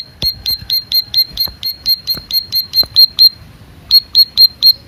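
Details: Bar-winged prinia of the Merapi type, used to stimulate lazy cage birds into singing: sharp, high 'tiit' notes repeated quickly, about fourteen in one run, a short pause, then five more.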